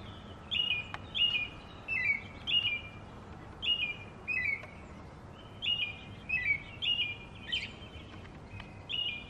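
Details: {'text': 'American robin singing: clear, whistled caroling phrases, each short and slightly rising or falling, repeated about every half to one second in a loose steady series, over faint background hiss.'}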